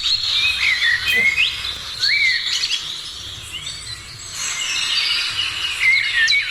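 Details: Birds heard in the morning, bursts of high chirping and slurred whistles come and go over a soft background of twittering.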